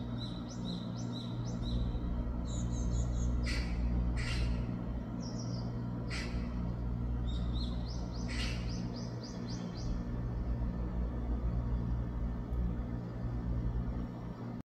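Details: A young Japanese tit (Parus minor), recorded on 2 August 2024, gives thin, high chirps in quick clustered runs, some sharp and clicky, over a steady low hum.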